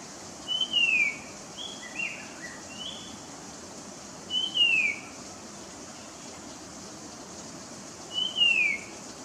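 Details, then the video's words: Puff-throated babbler singing: a clear whistled phrase sliding downward, repeated about every four seconds, three times, with a few softer short notes after the first phrase over a steady background hiss. "Kikiau hram kala fuh ta e,(puff throated babbler)"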